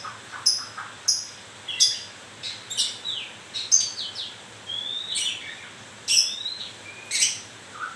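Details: During its moult, a white-rumped shama alternates sharp, harsh high notes with short rising whistles and a few buzzy slurs, spaced irregularly about half a second to a second apart.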